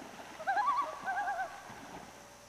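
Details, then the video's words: A common loon on Lake Florio, Québec, Canada, gives two quick, quavering, warbling phrases, mid-pitched and wavering, each about half a second long, over a soft background hiss. "The Sound of the Canadian Loons / Le chant du huard Canadien"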